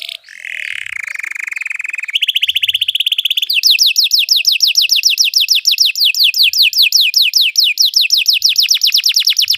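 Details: Belgian canary singing to train canaries: a wavering buzzy tone, a clipped higher trill, then a long series of quick descending whistled notes repeated about three per second.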